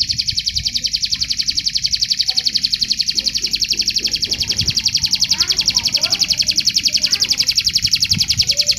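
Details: Canary song used as material for singing contests: a loud, sustained, very fast high trill of even pulses, about four per second in the beat, continuing throughout with faint low background noise.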